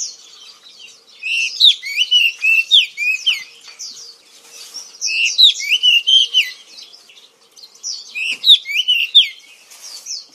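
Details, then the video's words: Oriental magpie-robin, called kacer in Indonesia and prized as a fighting and singing bird, delivering repeated bursts of loud, varied whistled phrases and quick trills, with quieter twittering between the three main phrases. "KICAU BURUNG KACER YANG MERDU || MAGPIE ROBIN VOICE"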